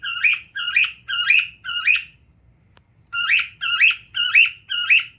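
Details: One pet cockatiel living with a family, sitting and looking at itself. It gives four short, harmonic, slightly rising chirps at a steady pace, pauses for about a second, then gives four more. The background is quiet.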